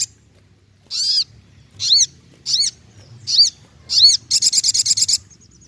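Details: Ruby-cheeked sunbird singing: five high arched, down-slurred notes about half a second apart, ending in a quick run of rapid trilled pulses.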